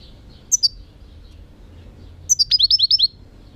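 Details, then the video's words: European goldfinch singing: two high chirps, then after a pause a fast run of seven or eight sharp, bright, descending notes in quick succession, all high-pitched, over a quiet low hum. "chant chardonneret"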